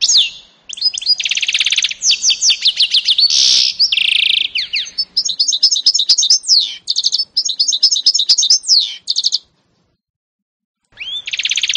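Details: Canary x goldfinch mule from 2018 in long, energetic song: loud buzzy rolls, twittering phrases and quick repeated slurs, a short silence, then another buzzy note.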